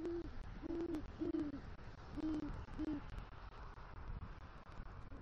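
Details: At a southwest Florida nest tree in November 2023, a male great horned owl brings a rodent and calls for his mate. Five low, deep hoots come unevenly, some slightly longer and drawn out, with steady faint hiss behind.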